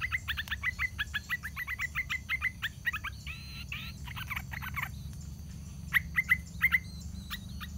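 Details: Yellow-vented bulbul chicks on the nest rim on fledging day, parents still feeding; a fast, steady series of sharp, clipped chirps, a brief pause with softer notes, then three louder chirps near the end.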